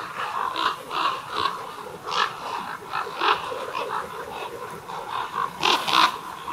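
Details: Many common ravens at a communal roost of more than 200 birds, amplified recording: dense, continuous hoarse croaking and gurgling calls overlapping, with louder bursts near the end.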